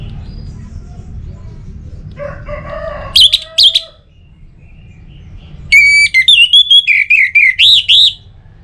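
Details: Orange-headed thrush from Singaraja, North Bali, Indonesia, whose song serves as a lure to make other birds sing. Brief sharp notes lead into a long phrase of repeated whistled slurs that dip and climb. Lower nasal calls and faint rumble sit beneath.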